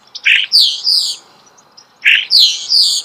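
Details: Close starling song: the same phrase twice, a rough buzzy note followed by three clear, high, falling whistles, repeated after roughly two seconds.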